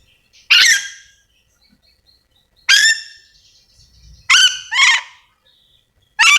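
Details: A Yellow-and-green lorikeet, a Sulawesi endemic parrot, calling with loud harsh screeches, one quick double screech in the middle, spaced around two seconds apart.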